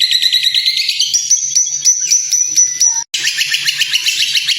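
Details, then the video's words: White-rumped shama song used as training material for other birds: a rapid, high, buzzy and trilled run of notes climbing in pitch. After a brief break comes a dense, repeated chattering trill. "masteran burung murai"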